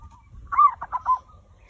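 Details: Zebra dove singing, used to draw other birds into song: a soft faint coo, then four quick rounded notes, the first strongest and slightly arched, against a quiet low rumble.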